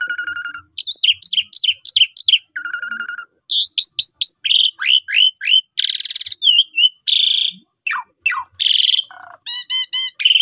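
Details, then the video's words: Long gacor song of an Asian pied starling, played to train newly bought birds: rapid repeated clicks, buzzy bursts and sharp descending whistles in a continuous varied sequence. "Pancingan Jalak Suren Nyapam Gacor Suara Panjang Cocok Untuk Masteran Burung Baru Beli"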